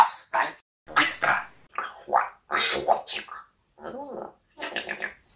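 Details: Pet parrot talking indoors in Russian: a rapid run of short, clipped, raspy spoken phrases in bursts with brief pauses, with no other clear sounds.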